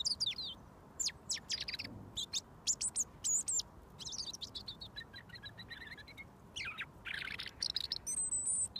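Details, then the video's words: Robin fed daily for over a year, singing from about a foot away until given mealworms; a close-up recording of high, thin, rapid warbled phrases and sharp chirps in short bursts with brief pauses, ending with a longer twittering run. "Robin Singing"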